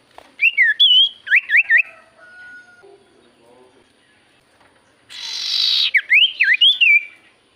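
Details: Javan white-eye song played as a lure to prompt quiet birds: bright zigzag whistles in two clusters, a long harsh hiss-like burst between them, and faint low tones in the gap.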